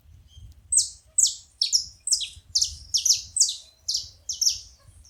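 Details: A group of saffron finches producing steady high, bright chirps that slide downward, about two per second and some doubled, over a faint low hum.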